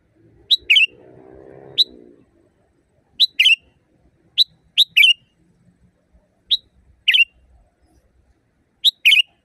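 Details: Sooty-headed bulbul singing in the wild, a master recording for caged birds: repeated paired pips and bubbly chirps at irregular intervals, with a brief low droning noise early on.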